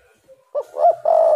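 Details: Spotted dove song meant to draw other doves into calling: a soft brief note, then a quick coo, an arching middle coo and a long sustained low closing note.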